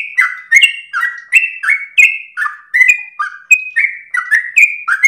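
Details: Melodious sooty-headed bulbul song for training and provoking other birds, a steady string of clear whistled notes, some rising, some falling, around three each second, quiet background.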